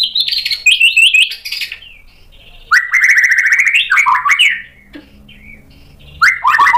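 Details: Murai batu, the white-rumped shama, answering a provocation with loud, varied song: a rapid run of stepped whistles, a pause, then rich fluting phrases dropping in pitch, brief quiet, and a fresh whistled outburst.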